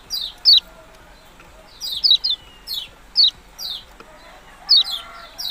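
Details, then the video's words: Yellow-bellied prinia uttering high, descending chip notes in clusters of two or three, separated by pauses of one to two seconds, over a quiet background. "burung kecial kuning ciak ciak"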